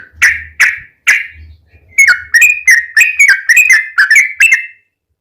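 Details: Three spaced, clear whistles from a yellow-vented bulbul, then a quick series of bubbly slurred notes before silence; recorded as a lure to trigger singing in other bulbuls.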